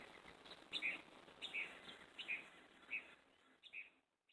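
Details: A Northern mockingbird sings from a tree in the early morning after singing all night, giving short, bright, high chirpy phrases, five or six in quick succession with brief pauses, over soft hiss.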